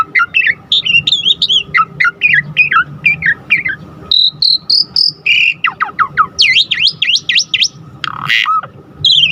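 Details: Lure song of an Asian pied starling, used to rouse other starlings to sing: quick chattering whistles, a run of level pure notes, then sweeping V-shaped whistles and a harsh squawk.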